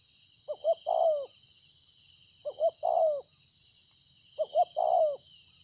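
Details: Wild-caught spotted dove from the fields, recorded 26 September 2020, cooing steadily about every two seconds: three phrases of two short rising notes and a drawn-out falling coo, over a constant high hiss and low murmur.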